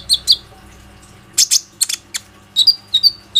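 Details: ['Plain-throated sunbird singing as a lure for other sunbirds, recorded on a phone: a few high whistles, loud harsh chips, then thin rising whistled notes in a short series.']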